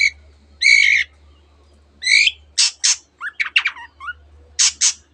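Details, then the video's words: Long-tailed shrike mimicking other birds such as canary, producing harsh nasal squawking notes followed by sharp rasping bursts and a quick cluster of chirps, with a steady low hum in the background. "cendet gacor nembak nembak rapat isian kenari dan banyak jenis burung yang masuk masteran"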